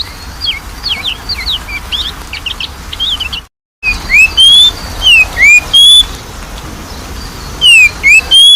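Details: Lure recording of Oriental magpie-robin song for a lazy singer. It opens with busy, high chattering notes, then a brief silence, then loud clear whistled phrases of falling and rising slurs, repeated several times.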